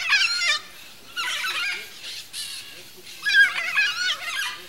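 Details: Red-and-green macaws (Ara chloropterus), a pair caught in a lively squabble in their natural habitat. Harsh, raspy, chattering squawks come in three loud bursts separated by short quiet gaps. The final burst is the longest and strongest.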